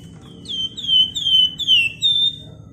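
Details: Rapid lure song from a Flamboyan bird, nyerecet and ngebren style: about five ringing whistles in a row, each bending slightly lower, with a steady low-pitched background drone.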